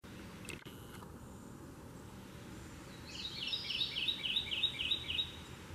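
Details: A male Kentucky Warbler in forest on the Chestnut Landtrust trails sings a quick burst of about seven rich, rolling two-note phrases, churry-churry-churry, evenly paced over a quiet background hiss.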